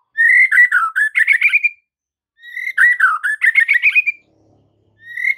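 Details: Master song of a white-rumped shama for training caged birds, with two full whistled phrases, each a rising slurred note into a rapid rich warble, and a third phrase beginning at the end; quiet background.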